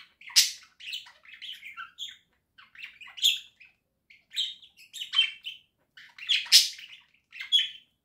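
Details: Chattering warble from pet budgerigars kept indoors, October 2024; scratchy, buzzy chirps and clicks run in quick irregular phrases with brief silences, one loud harsh note standing out near the end.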